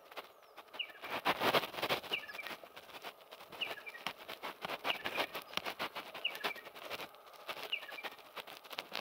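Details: A territorial male Striated pardalote calling non-stop: short, high, sharp double notes, repeated about every one and a half seconds, over a steady background of crackling, rustling noise.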